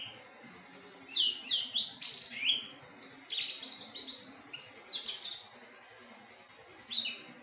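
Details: Melodious song of an anis teleng thrush: rapid bursts of varied high whistles and slurred descending notes, several phrases strung together with short pauses, one louder trilled burst near the end of the run.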